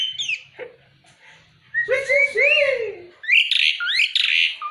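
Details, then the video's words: Starling known locally as jalak uret, singing actively: sharp whistled notes sliding up and down, a burst of harsh, rasping, arched phrases, then loud high chattering trills and squeaks, with a faint low rumble early on. "Kicauannya Sungguh Menggoda // Jalak Uret Gacor"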